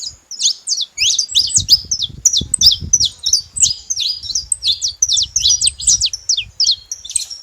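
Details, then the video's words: Saffron finch making noise: a fast, continuous run of high, sharp chirps and short downslurred notes, about three a second, with faint low rumble beneath. "Canário da terra fazendo barulho"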